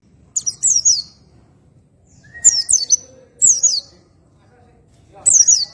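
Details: Oriental white-eye singing in the ngroll tembakan santai style: four bursts of high, thin, zigzagging chirps that fall in pitch, separated by pauses of about a second, over a faint low hum.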